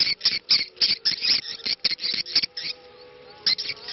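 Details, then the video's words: Looped 'ceklok' swiftlet lure call meant to draw swiftlets in, with a call to prayer reportedly in the background. Quick, dry chirping clicks repeat about four times a second, then stop short, followed by a near-silent stretch and a final burst. "SUARA CEKLOK Walet"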